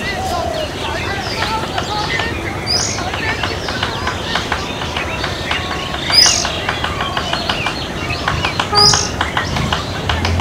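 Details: Fulvous-breasted woodpeckers pecking, a run of sharp dry taps and knocks in uneven bursts, with a few high chirps above and steady low traffic-like rumble beneath.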